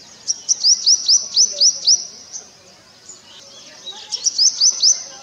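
A purple sunbird's courtship song: quick runs of very high, thin, sharply rising notes, about five a second, in two bursts with a short pause between.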